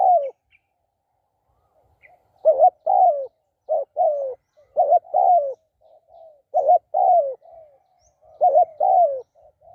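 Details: Spotted dove decoy calling with repeated low coo phrases, each a quick double note followed by a longer falling coo, interspersed with soft hummed coos.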